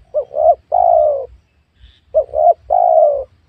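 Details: Spotted dove heard while wild doves are being lured in a small oil palm plantation on newly cleared land; two identical soft coo phrases, each two quick notes and a drawn-out descending note, about two seconds apart.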